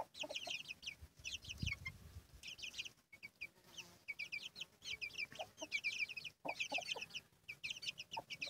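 Chicks keep up a busy chorus of high, thin, slurred peeps, several every second. A few low clucks from the hen break in now and then.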